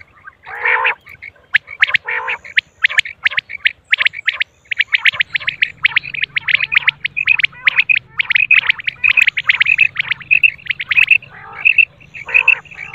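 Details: Common quail, a female, giving a long, dense run of sharp, high chirps, nearly continuous and sometimes doubled, opening with a brief rasping burst and ending with a soft low hum.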